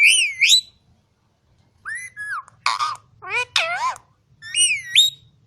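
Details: Talking green ring-necked parakeet from Quetta: bright rising whistled phrases, a pause, two flat whistle notes, then rapid husky speech-like syllables and a final rising whistle, over a faint low hum.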